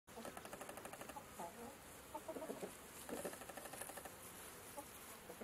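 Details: A rooster and three hens (Gallus gallus domesticus) free-ranging in a grassy yard cluck in short, rapid, overlapping bursts, a busy murmuring chorus over soft background noise.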